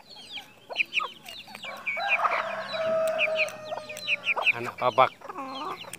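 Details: Captive-bred red junglefowl on a farm in Mukomuko, Bengkulu, Indonesia cluck and cackle, with a drawn-out crow-like call midway and high, rising chick peeps throughout.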